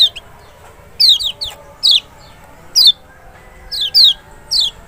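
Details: Lure sound of the Lemon-bellied white-eye (Lombok or Sumbawa type, Zosterops chloris maxi) used to get a reluctant bird singing; about nine bright falling whistles, several in quick pairs, spread irregularly over nearly five seconds.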